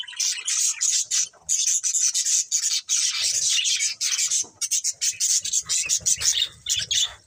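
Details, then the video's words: Breeding pair of budgerigars producing loud, continuous raspy warbling chatter, high and grating, broken by short gaps, with clipped ticking notes in the second half. "Cute Budgies Chirping Sounds"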